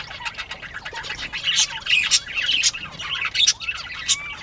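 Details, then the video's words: Northern bobwhite quail at playtime, recorded 19 April 2017 at 10:13 AM; high, scratchy squawks and short chirps overlap densely, with a few thin rising whistles near the end. "Bobwhite Quail playtime"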